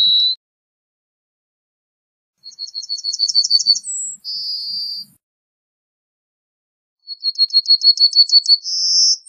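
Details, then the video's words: Yellowhammer song: a long note ends one phrase, then two full strophes of rapid, accelerating high chips, each closing with a held buzzy tone, separated by quiet gaps. "Yellowhammer Song! Yellowhammer Call! Yellowhammer - Escribano Cerillo Canto - Emberiza Citrinella"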